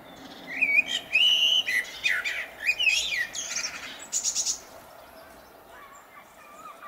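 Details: Blackbird in spring giving a run of bright warbled whistles and rapid twittering notes, loud in the first half, fading to softer sliding whistles after a pause.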